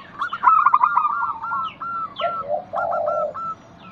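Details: Zebra dove, a local perkutut, singing in a lure recording meant to set other doves calling: a quick run of clipped, stuttering coo notes, then a low, rough, sustained purr and a few further short coos.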